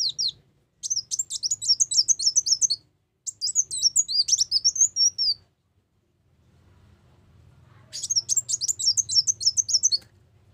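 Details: Ruby-cheeked sunbird, lure recording for trapping: three bursts of fast, sharp, very high chittering notes, each two to three seconds long, separated by silent gaps, the last after a longer pause.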